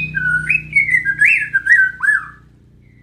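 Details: White-rumped shama in tembakan and isian song: a smooth wavering whistled phrase rising and falling over about two seconds, with a low steady hum behind.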